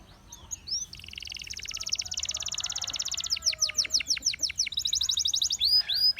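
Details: Gloster canary song that builds from soft notes into a long loud buzzing trill, then a string of rapid downward-curving whistles and another high rolling trill.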